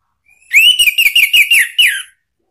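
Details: Orange-headed thrush singing a ngeplong lure phrase to provoke a kept bird into answering: one continuous rich whistled warble, wavering up and down for about one and a half seconds before a falling end note.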